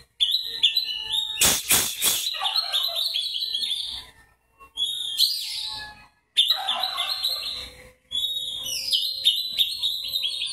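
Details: A white-breasted Oriental magpie-robin sings in aggressive fighting style: loud high whistles mixed with scratchy chatter in bursts broken by short pauses, with a brief clattering rattle early on.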